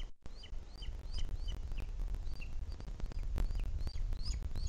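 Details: Booted Eagle at its webcam nest, Sierra de Guadarrama, Spain, 2021, while the chick is fed: repeated high upslurred chirps every fraction of a second, heard over loud low rumbling and occasional clicks.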